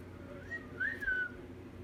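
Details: Pet cockatiel whistling quietly, a faint rising note followed by a clearer arched whistle that slides downward and trails off, with steady low room noise behind.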